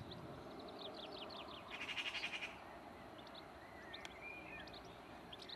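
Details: A jackdaw beside a road just outside Sheffield, UK, gives a brief, harsh, rapidly pulsed chatter lasting under a second; thin chirps from small birds and a low rumble of traffic fill the background.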